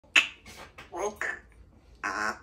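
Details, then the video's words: Female Congo African grey parrot kept as a pet in a country home, chatty and mimicking her owner while he works. A sharp squawk-like onset is followed by quick speech-like syllables and a bright, harsh, voiced burst in a quiet room. "very chatty today mocking dad again while he works"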